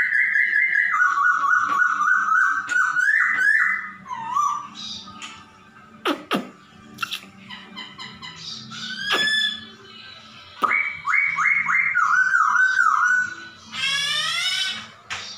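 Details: A laughingthrush's varied song imitating a cat's meowing, with descending whistled strings, wavering slurred notes, sharp clicks, and a rapid series of falling chirps near the middle, closing with a buzzy burst.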